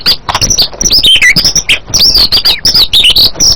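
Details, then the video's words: White-rumped shama singing a rich, varied song of loud whistled phrases and sweeping notes, mostly high-pitched, with rapid changes and brief chattering elements throughout. "suara burung MURAI BATU"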